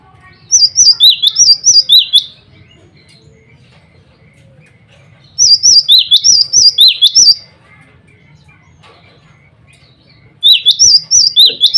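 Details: Three separate bursts of song from a male cinereous tit calling rivals and a female, each a rapid string of about five to six sharp, high, up-and-down whistled notes, separated by a few seconds of near silence.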